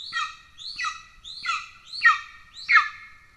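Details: Golden eagle at a nest in Estonia on 17 July 2024, as the father arrives with a pigeon and the chick is already fed. Five harsh, harmonic squealing calls, each sliding upward then dropping, spaced about two-thirds of a second apart.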